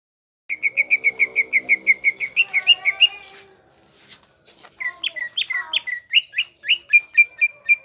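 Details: Greater green leafbird in full lively song: a fast run of about fifteen clear whistled notes near one pitch, a short pause, then varied slurred and rising whistles ending in another steady repeated series.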